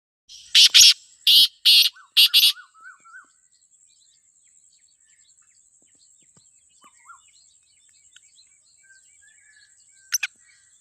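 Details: Black francolin (kala teetar) calling in the wild in Pakistan: a click, then four harsh, grating notes in quick succession, followed by quiet with faint small chirps and a steady high insect-like whine.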